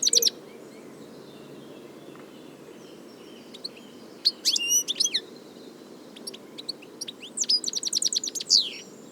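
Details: European goldfinch in nature giving scattered, sharp high chirps and short tinkling runs, including a quick series of clipped notes near the end, over a steady low background hum.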